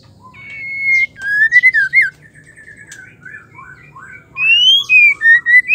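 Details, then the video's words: White-rumped shama hen in full song, the sort used to excite males: bright whistles that slide up and down in quick phrases, a quieter patch of soft notes, then a loud closing series of rising whistles. "Murai batu trotol pastol dewasa smua pasti nyaut dengar suara Murai betina gacor"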